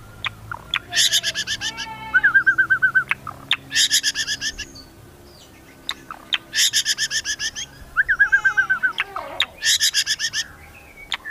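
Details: White-rumped shama of the Medan type in strong song with cililin and cucak jenggot imitations: harsh chattering bursts alternate with short fast whistled trills, the pattern repeating several times.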